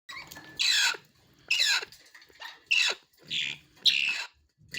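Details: Grey parrot chicks offered for sale at Noida, India: harsh, raspy squawking calls in bursts about every second, each a broad noisy screech with a falling tail.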